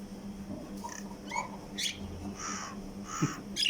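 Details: A hungry common myna in a kitchen, being offered bread, gives a quick jumble of harsh, croaking and squeaky whistled notes in uneven bursts, over a low hum with a person talking.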